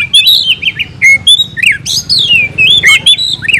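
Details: Oriental magpie-robin (kacer), caged, singing fighting song of varied slurred whistles, rising and falling sweeps and short squeaky notes in a continuous rich phrase.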